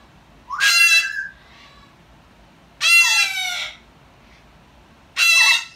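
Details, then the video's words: A cockatoo teaching an Amazon to speak gives three loud, harsh, raspy squawks, each under a second long and about two seconds apart, in an otherwise quiet room. "a Cockatoo teaching Gabby an Amazon Cockatoo Speak!"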